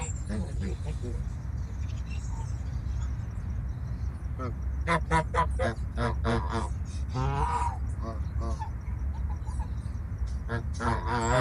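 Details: Geese on a farm calling in bursts of nasal, harmonic honks, some short and clipped, others drawn out and wavering, several birds overlapping against a constant low rumble.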